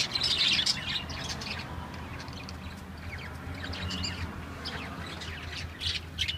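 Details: Lovebirds kept in a cage, chattering together: dense overlapping high squeaks and sharp chirps run without pause, louder in the first second and near the end, over a steady background hiss.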